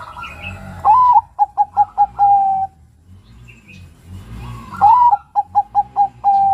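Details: Two cooing phrases from a young male zebra dove of the Bangkok strain. Each has a rising lead note, four brief pulses and a long even tail. A low rumbling background noise runs throughout.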